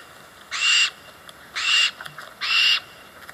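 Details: Barn Owl in the Eastern United States giving three harsh, hissing screams, each about a third of a second long and roughly one second apart, broad and noisy rather than tonal.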